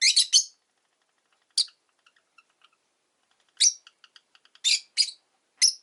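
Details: Rosy-faced lovebirds chirping in a cage beside a window on a lazy afternoon, five birds present: a burst of rasping high chirps, soft faint twitters, then loud shrill single notes spaced apart.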